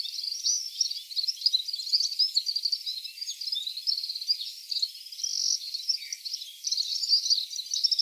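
Red-fronted serin giving a steady, high, tinkling twitter of quick chirps and trills with no pause, bright and thin in pitch.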